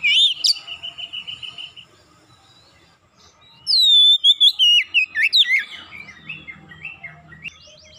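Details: Lure recording of an Oriental magpie-robin: a steady, pulsed whistled note, a pause, then a rich run of rising and falling whistles and quick slurred notes that fade into softer twittering.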